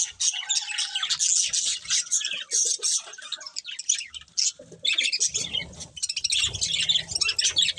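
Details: Budgerigars keep up quick, rasping chatter with whistled notes, pausing briefly near the middle before the busy chirping resumes, with soft low rustling underneath.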